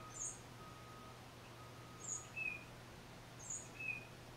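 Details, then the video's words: A lone tufted titmouse, captured on a Nikon D3500 with a Tamron 500mm lens, repeats a two-note phrase: a very high thin note, then a lower whistled slurred note, about every 1.5 seconds, over a faint steady low hum. "1 Tufted Titmouse Solo"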